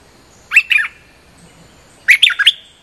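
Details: Streak-eared bulbul, a lively lure recording billed as a fierce territory-holder's song: two short bursts of sharp, bubbly chirps about one and a half seconds apart over a quiet background.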